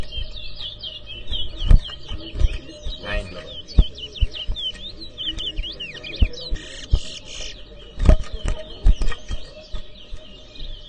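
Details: Towa towa singing at a bird whistling competition in New Amsterdam, Guyana: fast chains of short whistled twitters and trills, with loud low knocks and bumps scattered through and a voice counting.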